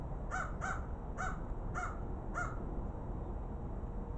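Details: Two crows exploring: five hoarse, nasal caws come in quick succession, roughly one every half second, then stop, over a steady low rumble of outdoor background noise.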